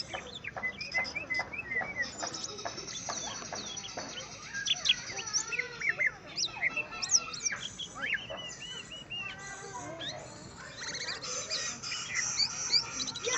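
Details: Greater green leafbird singing after finally getting a rival to face, a dense, rapid run of varied whistles, chirps and trills packed with quick sweeps and rattling notes, continuous throughout with faint background noise.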